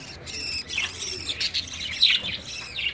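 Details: Breeding budgerigars in early summer chattering in a busy stream of high, scratchy chirps and warbles, several birds overlapping with a faint low hum underneath.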